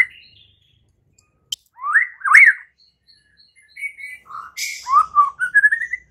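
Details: White-rumped shama song meant to stimulate other shamas into loud singing. Separate rich whistled phrases with swooping slurs, a short click, then a string of quick notes climbing upward.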